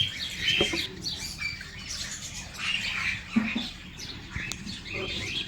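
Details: Breeding pairs of Budgerigars chatter with busy, high warbling chirps and squeaks that overlap continuously.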